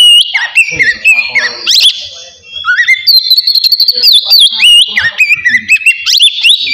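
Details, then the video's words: Oriental magpie-robin in a relaxed ngeplong song meant to provoke emotion and breeding drive: dense, loud whistled phrases with buzzy chips and slides, briefly dropping in the middle before resuming at a higher pitch. "TERAPI AWAL KACER NGEPLONG SANTAI COCOK BUAT MANCING EMOSI DAN BIRAHI AGAR KACER CEPAT GACOR"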